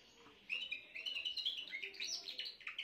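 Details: Young Spanish Timbrado canary of this year, recorded 14 June 2023, singing a continuous run of rapid high warbled and chirped notes that begins after a half-second pause and wavers up and down throughout.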